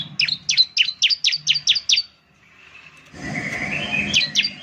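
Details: Bar-winged Prinia, called ciblek, singing a gacor lure: eight rapid, sharp, falling chirps, a short silence, then a hissy noisy stretch with a few more high notes at the end.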